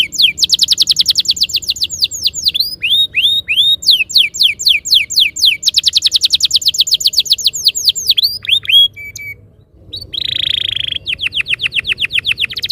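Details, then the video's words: Canary lure song for rolling ngerol singing: long bursts of fast high trills and curved whistles, a short pause, then a buzzy tone and another rapid trill. "Suara mastetan burung kenari _ PANCINGAN AMPUH KENARI BIKIN CEPAT BUNYI NGEROL GACOR"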